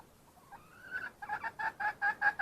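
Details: Wild red junglefowl hen: a soft note and a rising drawn call that break into loud, evenly spaced clucks growing stronger toward the end.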